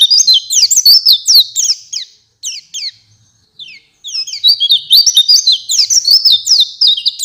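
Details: Oriental white-eye in full song, answering another bird with rapid high twittering phrases of slurred whistles, a gap of scattered notes around the middle, then a dense burst again.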